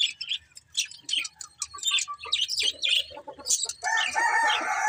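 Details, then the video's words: Budgerigars chattering with quick, scratchy chirps and short whistles in irregular bursts, ending in a louder buzzy, squawking phrase. "Cute Budgies Chirping Sounds"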